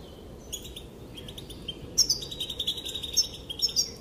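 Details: Female European goldfinch calls that make the males dance: sparse high notes at first, then a dense, lively twitter of bright chirps and trills.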